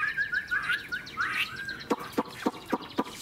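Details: Old wild-caught Chinese hwamei in song: looping whistled notes near the start, then a run of short sharp descending notes repeated about every quarter second, over faint background noise.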